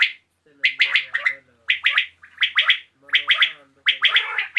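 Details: Evening calling of common quail (batair): crisp three-note phrases of sharp, clipped whistles, repeated steadily with short gaps, some notes carrying a faint lower buzz.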